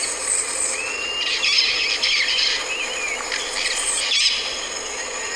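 Bronze-winged Parrot giving harsh, screechy high calls in two rough bursts, with fainter thin whistles over a steady background hiss.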